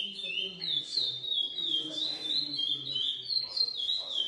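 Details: Captive-bred lesser seed finch, GP x Coimbra lineage, pouring out a steady run of clear, sliding whistled notes at a fast pace, with soft low voices faintly audible.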